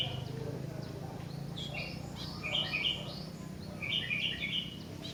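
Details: Sooty-headed bulbul singing: soft, bubbly clusters of short warbled notes in two bursts, the second fuller, over a steady low rumble of background noise.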